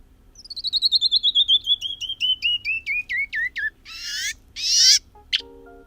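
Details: Canyon wren (Catherpes mexicanus) song: about fifteen clear whistled notes slide down the scale, slowing and turning sharper as they fall, then end in two or three harsh buzzy notes.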